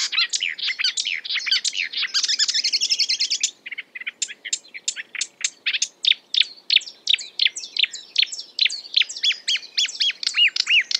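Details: A marsh warbler strings together borrowed bird sounds: an opening jumble of twitters and a buzzy rattle, then a long run of sharp, clipped chirps and occasional rising whistles.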